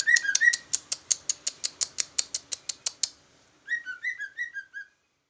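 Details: Leafbird labelled jumbo, singing in trucukan manner: a few slurred whistles, a steady train of about fifteen sharp high ticks, then a chatter of falling whistled notes.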